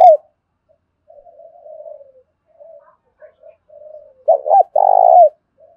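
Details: Spotted dove cooing as a lure bird in the thổ pha voice, a fighting-challenge call: soft low coos, then a loud rolling phrase of short notes ending in a long, steady, slightly falling coo.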